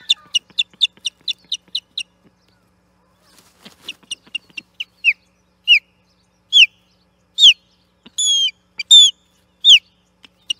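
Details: Osprey at the Charlo nest, 8 June 2021, battling an intruder for the platform: a fast series of about a dozen sharp piping notes, a brief lull, then loud downslurred whistled cries repeating about once a second.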